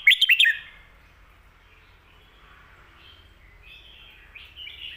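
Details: Red-whiskered bulbul, singing in the 'stir-fried noodle' and 'bottle-shaking' styles used to teach home birds: one brisk phrase of sharp whistles at the start, followed by quiet, thin warbles.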